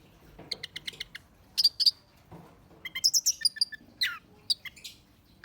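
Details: Orange-headed thrush song played to lure or provoke birds, made of sharp high chips and squeaky notes in rapid clusters, separated by short silences.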